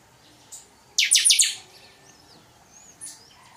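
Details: Chopi blackbird singing in the totonsidonso song style: one loud burst of bright, high, tumbling notes lasting about half a second, with faint thin notes before and after in quiet surroundings.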